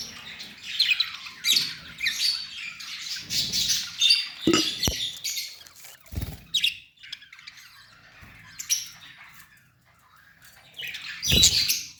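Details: A budgerigar breeding pair (budgie parents), filmed in the breeding season, chatters in fast, high warbles and squeaky chirps, with a few soft knocks between bursts.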